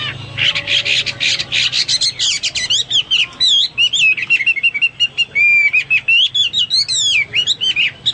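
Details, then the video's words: Hwamei singing actively, used as a master for pet birds: rapid harsh chatter leading into a varied stream of whistled loops, upslurs and downslurred notes, loud and continuous. "Burung Hoa Mi gacor"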